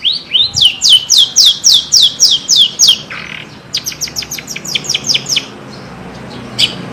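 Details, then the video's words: Javanese long-tailed shrike in full, clear song: a run of about ten rhythmic, ringing rising-and-falling notes, then a higher, faster series of sharp repeated notes over faint background hiss. "Kicauan terbaik cendet Jawa gacor full isian jernih"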